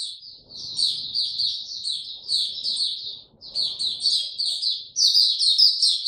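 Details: White-eye opening into song, recorded 29 April 2022 with no health supplements given: two runs of rapid high twittering split by a brief gap, the final run loudest, with soft background rumble.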